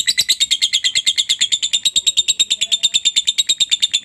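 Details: Lovebird chatter meant to make other lovebirds ngekek quickly; a very regular, machine-like stream of piercing high pulses, about eight per second, unbroken for the whole stretch.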